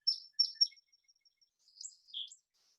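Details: A Song Sparrow gives three sharp, high introductory "getting ready" notes, the start-up that distinguishes its song, then a quieter, complicated, jumbled run of buzzy trills and twitters. No other sounds are heard.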